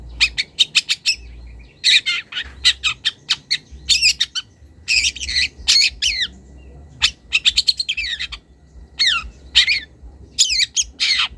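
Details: Wild young long-tailed shrike calling a rival, a mix of harsh broadband squawks and sharp clicking notes with rapid rising and falling whistled phrases, in bursts separated by short pauses; faint low hum underneath.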